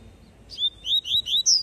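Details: Double-collared seedeater giving a brief tui tui phrase: one sharp opening note, then three evenly spaced high whistled slurs and a final piercing upswept note, all within about a second.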